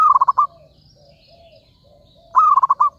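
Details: Zebra dove calling to lure others into a trap: two rapid stuttered phrases of five or six soft rolling notes about two seconds apart, faint chirps from other birds between them.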